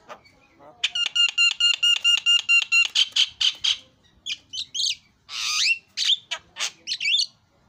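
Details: Javan myna singing actively: a run of about fifteen evenly spaced harmonic whistled notes, followed by harsh, buzzy squawks and rasping bursts of varied length.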